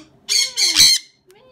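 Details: Sun conure letting out three loud, shrill, grating squawks in quick succession, each about a quarter second, followed by a faint voice.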